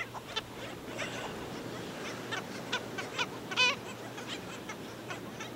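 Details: Black Skimmers on St. Pete Beach, Florida, while killing a chick; scattered short, barking nasal calls from several birds, one louder sharp call near the middle, with background surf-like noise.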